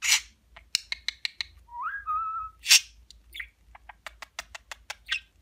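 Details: Pet budgerigar repeating Turkish words like babacık: a burst of raspy noise, quick ticking clicks, a smooth rising whistled note, then more sharp clicks and scratchy chatter.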